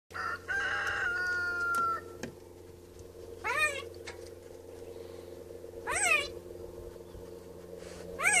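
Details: A wild Black-billed Magpie, early in the morning, mimics children's voices, giving short, voice-like "hi" sounds about every two and a half seconds after a longer, drawn-out, crowing-like call at the start.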